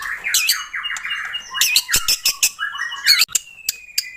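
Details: Lively White-rumped shama song used to coax a captive bird into singing: swooping whistles and warbled phrases mixed with harsh clicking bursts and squeaky notes, then a long thin whistle near the end.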